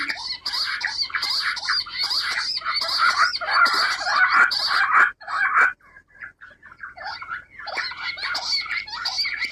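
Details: Rock bush quail (Perdicula argoondah) calls: a busy chorus of squeaky, chattering calls, several birds overlapping in rapid bursts with a brief lull midway.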